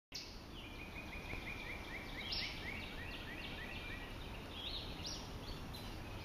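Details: Acadian flycatcher at Ocmulgee National Monument, Macon, Georgia, on 4 May 2012, giving a quick run of short, sharp, high calls then a few louder peeps, over steady low rumble and thin high insect whine.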